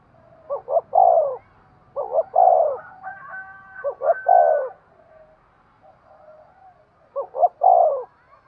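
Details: Spotted dove cooing, used to stimulate breeding; phrases of two short soft notes followed by a longer drawn-out coo, repeated roughly every three seconds, with a faint higher whistled tone in between.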